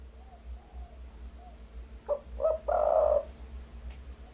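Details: Spotted dove call used as a lure recording for bird trapping: two short low coos followed by a longer, louder rolling coo, over a steady low hum.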